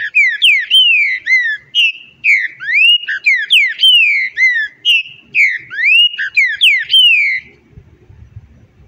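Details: Green-winged saltator singing a rich whistled phrase of slurred up-and-down notes. The phrase is repeated roughly every one and a half seconds for over seven seconds, then stops, leaving faint low background rumble.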